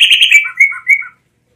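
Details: Blue mockingbird singing one phrase: a rapid buzzy chatter that gives way to a few clear whistled and downslurred notes, ending after about a second.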